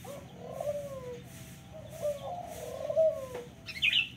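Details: Local turtle dove cooing in quick succession, low, throaty and falling in pitch. A high twittering chirp from another bird closes the sequence.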